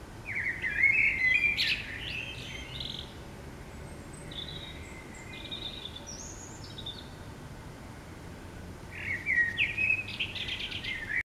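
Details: City common blackbird in the morning: an opening burst of loud warbled, fluting notes, then a quieter run of scattered higher notes, and a final strong warbling phrase before the sound cuts off, over low hum.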